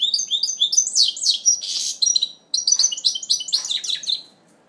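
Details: Goldfinch mule, first moult, recorded in 2012, singing fast twittering phrases of high sweeping notes and buzzy trills, with a brief pause midway and soft background hiss.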